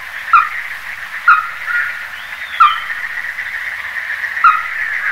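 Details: Ruddy-breasted crake uttering four abrupt, sharp notes spaced roughly a second apart, set against a constant humming background chorus of insects or frogs.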